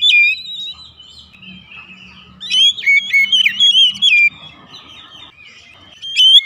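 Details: Oriental magpie-robin, a house bird, singing as a lure to prompt other birds: lively high whistled twitters and chattered notes in a burst midway, with a faint steady low hum underneath.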